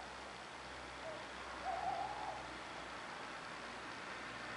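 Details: Eurasian tawny owl in France, April, with male and female calling: after a brief faint note, one low, wavering, quavering hoot lasting about half a second, against a steady background hiss.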